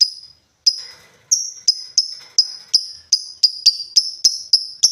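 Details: Lovebird in the Indonesian ngetik style: a steady series of sharp, high, ticking chirps that speeds up from about one every half second to rapid, closely packed notes.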